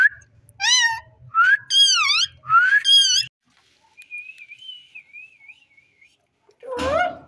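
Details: Talking ring-necked parakeet gives four rapid harmonic, voice-like syllables, then a long thin warbling whistle that wavers softly, ending with one louder low harmonic syllable.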